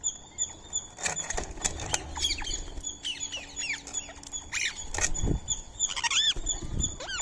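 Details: Indian ringneck parakeet feeding on soaked rice and corn meal beside a squirrel. Harsh, arching squawks with sharp rising-falling strokes come in irregular clusters over a steady high electrical-like hum, with low thumps and rustles from handling food.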